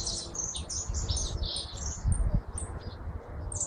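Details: Jilguero argentino, or hooded siskin, with a fast high twittering song of buzzy chirps, set against loud low rumbling and a few knocks.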